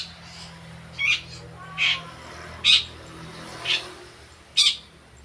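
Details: Long-tailed shrike learning to sing gives five clipped, scratchy notes spaced nearly a second apart, moderately loud over a soft background hiss and low hum.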